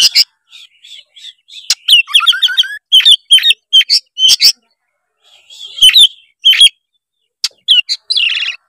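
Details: Loud, freely delivered song of an Oriental magpie-robin, played to prompt a lazy youngster into singing. Steady clear whistles open, followed by a rapid rising trill, then clipped sharp notes and chattering phrases.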